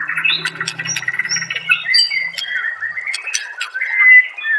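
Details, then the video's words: White-rumped shama master song for caged-bird training: dense continuous chattering and warbling with sharp high clicks, over a low humming background "murai batu anda dengar suara MASTERAN burung seperti ini"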